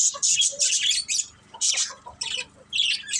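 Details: Budgie family at play, giving bursts of shrill, scratchy chirps separated by short gaps, with a few lower, clipped notes between the bursts.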